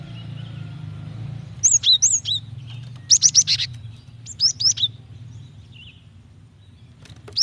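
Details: Calls of a female Java sparrow meant to draw singing from a male: three short bursts of high, slurred chirps and clipped ticks spaced over several seconds, over low background rumble.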